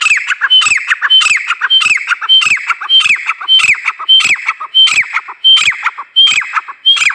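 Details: Female grey francolin calling: loud, harsh squawking notes, each with a brief high whistled tone. Repeated steadily about every half second, roughly eleven times.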